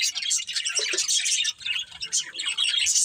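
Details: Pet budgerigars chirp in a bright, rapid chatter of high twitters and short squeaks that dips briefly in the middle before resuming.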